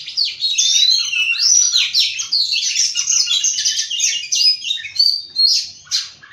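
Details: An oriental magpie-robin (Copsychus saularis) sings in the morning, a rich, continuous stream of varied high whistles, trills and chirps, with no other notable sounds.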